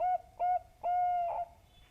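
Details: Zebra dove (perkutut bangkok) call played as a lure to make doves sing. Three clear, soft, hollow coos at steady pitch; the last one is drawn out longest, with quiet room background.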